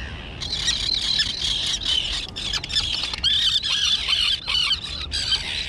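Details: Young terns, recently fledged, calling in their island colony overgrown with dense grass; continuous harsh high squeals and chattering calls overlapping from several birds.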